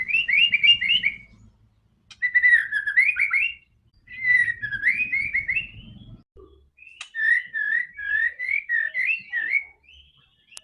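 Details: White-rumped shama singing vigorously, used as a lure to get a quiet shama to sing: bursts of rapid whistled warbling notes in phrases about a second long, with short pauses, a faint low rumble under some phrases.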